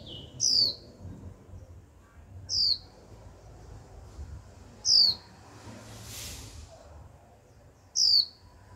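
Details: Caged young female Japanese white-eye repeating her 'chíu' call, which is meant to set males singing. Four piercing downslurred whistles at intervals of about two to three seconds over steady low hum.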